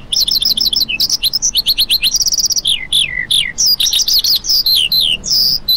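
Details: Lark giving a rapid, unbroken stream of high chirps, short descending slurs and fast trills, the notes tumbling one after another with barely a pause.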